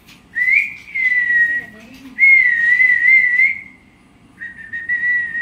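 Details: Three long, steady whistled notes from a parrot, each pure and nearly level. The first note swoops up briefly before settling, and the notes are separated by quiet pauses.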